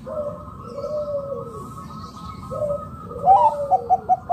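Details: Local zebra dove used as a lure to set other doves calling: two gentle arched coos followed by a rapid run of short, bright, clipped notes, with a faint constant hum behind.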